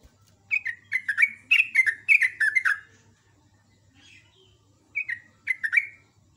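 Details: Morning song of a sooty-headed bulbul, locally trucuk, in lively ropel ngecruk style: a chattering run of about nine bright, downward-slurred notes, a pause, then four more. Soft low hum in the background.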